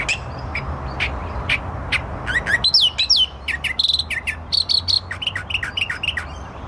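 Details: Australian reed warbler, a chirpy native songbird singing in reeds at the north end of Lake Monger; loud, varied phrases of sharp chirps and rising whistled notes, repeated rapidly, some buzzy stacked notes, over low rumbling background noise.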